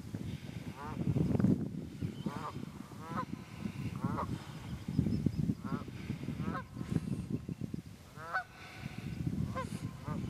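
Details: Honking wild geese recorded 27 February 2018 in the Quehanna Wild Area, PA, with about ten irregular nasal honks throughout, partly masked by continuous low rumbling background noise.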